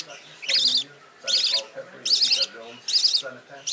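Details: The youngest rainbow budgerigar chick, seeking a hold among its siblings in the nest box and wanting warmth, gives four high, raspy, wheezing calls, each about a third of a second long, roughly every eight-tenths of a second.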